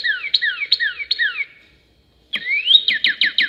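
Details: A trio of Northern cardinals singing; loud, clear whistles: three slurred downward phrases, a pause, then a rising whistle into a quick run of short falling notes.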